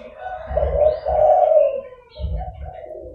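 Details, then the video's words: Zebra dove calling to lure wild doves: a loud, quavering two-part coo, then a softer coo, with low thumping sounds underneath. "DERKUKU GACOR (DERKUKU PIKAT)"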